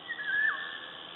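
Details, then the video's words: Eurasian golden oriole, Latvia, 16 May 2012: a single pure, flute-like whistle held level for a moment before dropping sharply at the end, with faint bird chatter in the background. "Oriole sings"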